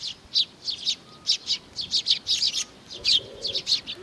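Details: Sparrows come to take food at Tenmangu, Nakanoshima, on 7 June 2020: crisp separate chirps in little clusters, roughly several per second, against a quiet background with a brief coo near the end.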